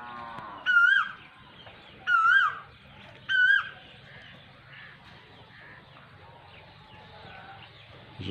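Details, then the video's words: Asian koel giving three loud, ringing whistled notes about one and a half seconds apart, each rising then dipping, followed by several seconds of faint background noise. "کوئل کی آواز"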